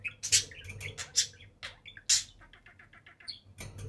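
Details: Pet budgerigar pair on top of the cage indoors: loud sharp chirps and scratchy squawks interspersed with soft rapid twittering notes.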